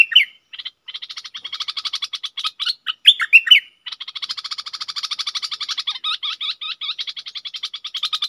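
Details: Decoy Red-whiskered bulbul producing a long rapid buzzy chatter, broken midway by a few loud slurred whistled notes, then continuing with quick hooked chirps.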